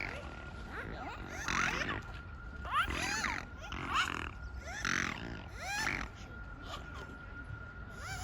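A swan gives a string of rough, grunting, nasal calls with upward-bending harmonics, about one per second, over a steady high whine.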